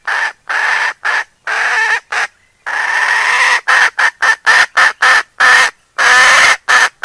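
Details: Decoy hen calling to draw in other fowl: loud, scratchy, broadband clucks in uneven bursts. Some notes are long and drawn out, others short and clipped, with a brief pause partway through.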